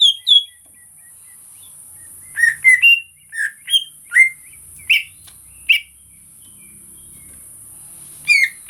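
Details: Greater green leafbird singing: clear whistled notes slurring up and down, given in short clusters with gaps, over a steady high hiss.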